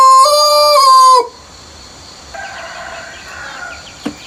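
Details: Farm rooster at early morning before sunrise in peaceful countryside, the final second of a loud, steady-pitched crow ending abruptly, followed by a quiet ambience of steady insect hum and faint distant bird chirps.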